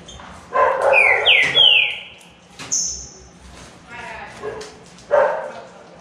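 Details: Green-winged saltator (trinca-ferro) from a trio in a singing contest: two or three loud falling whistles near the start, then a high thin note, with murmuring voices and other low sounds afterward.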